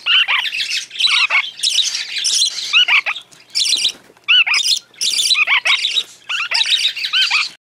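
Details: Hand-reared young tame parakeets at hand-feeding give harsh, raspy, insistent squawks in rapid bursts, many overlapping, with short pauses between runs of calls.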